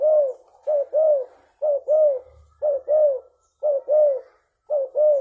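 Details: Spotted dove, called tekukur leopard, used as a lure recording: low cooing notes in repeated two-note phrases, a short coo followed by a longer falling one, about once a second, clean and loud.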